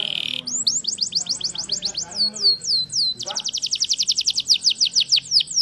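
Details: A Yorkshire canary delivers a long song: a buzzy opening, chains of quick descending whistles, then a rapid trill of bright high notes, with soft indistinct background sound underneath.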